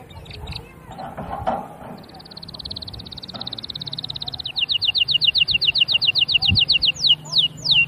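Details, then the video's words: Canary song opening with scattered soft notes, then a sustained rapid high trill, followed by louder pulsed rolling notes that speed along evenly and end in a few sharp downward slurs, low hum underneath. "تغريد الكناري بصوت جميل"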